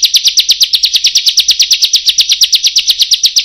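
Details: Bar-winged prinia song in the rapid 'roll tembak' and long 'panjang' style: a steady, fast series of sharp, down-slurred chirps, about eight per second, continuing for the whole stretch with no other sounds.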